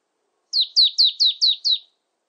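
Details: Marsh tit calling: a quick run of six clear, high, downslurred notes, each dropping sharply in pitch, evenly spaced about a quarter-second apart, against a silent background.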